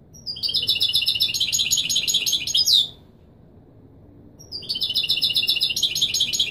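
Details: European goldfinch in Wiydani Marrakchi song style, for teaching young birds: two long phrases of rapid, tinkling high twitters, separated by a pause of about one and a half seconds.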